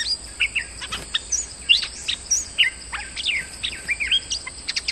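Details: Bulbul lure recording of a moulting bird still singing normally: quick bursts of short, sharp chirps and sweeping whistled notes, many rising or falling, scattered irregularly over five seconds above a steady high electronic whine.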